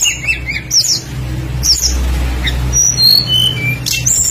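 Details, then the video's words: Tledekan bird song meant to prompt other birds to sing: scattered sharp chirps, quick whistled slurs and high thin notes in bursts, over a low background rumble. "PANCINGAN BURUNG TLEDEKAN PASTOL GACOR FULL ISIAN LANGSUNG IKUT BUNYI"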